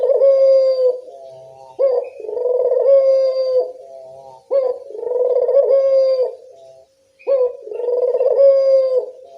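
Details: Repeated coos of a local Barbary dove for luring others to respond: four rolling phrases, each starting with a sharp rising note and settling into a long, steady, low hum.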